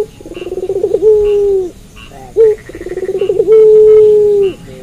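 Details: At night a puter pelung dove sings, unfazed by the hour: accelerating pulsed stutters flow into a long, steady, slightly falling coo, repeated twice with a short note between.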